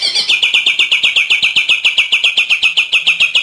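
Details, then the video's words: Bornean green leafbird, native to East Kalimantan, Borneo, living from highlands to lowlands, singing actively in a rapid-fire 'AK 47' style: a fast, even stream of sharp, downward-swept whistled notes, almost four per second, with no other sounds. "Cucak ijo borneo gacor,nembak ak 47"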